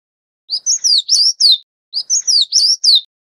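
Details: An Oriental magpie-robin, filmed while feeding its chicks, gives a bright phrase of five high, sweeping whistled notes, then repeats it after a brief pause.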